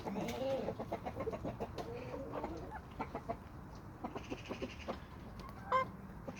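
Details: Chickens and roosters of a homestead flock: a busy run of short clucks and ticks, irregular and overlapping, with one brief sharp squawk near the end.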